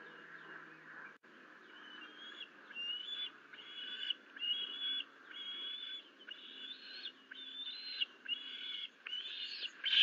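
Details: Osprey at the nest on a live nest camera, 30 June 2022, after the male brought a live duckling as prey. A series of loud whistled chirps, slightly rising, comes about every half second over a steady background hiss.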